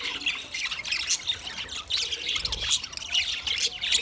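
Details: Budgerigar singing: a dense, continuous chatter of squawky chirps, twitters and short warbling notes, rising and falling in loudness throughout with no pauses.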